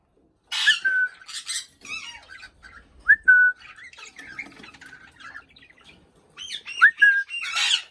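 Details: Indian ringneck parakeet talking: a run of harsh, speech-like syllables, then a sharp rising whistle sliding into a steady tone near three seconds, and a last burst of raspy chatter with another upslurred whistle at the end.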